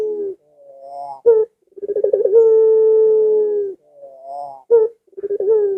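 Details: Barbary dove calling to lure pet doves kept at home: a low trilled stutter swelling into a long steady coo, framed by shorter rising and falling hooting notes.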